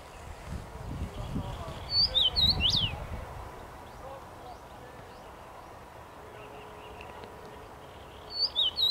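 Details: Common rosefinch singing in a tree on 23 May 2021: a short whistled phrase of rising and falling notes near two seconds, repeated at the very end, over a steady low rural hum.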